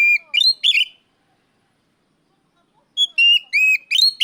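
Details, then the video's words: Oriental magpie-robin calling out a rival: two bursts of clear whistled notes around mid-high pitch, sliding and rising, separated by about two seconds of silence. "NGEPLONG TERIYAKAN KACER MEMANGGIL LAWAN"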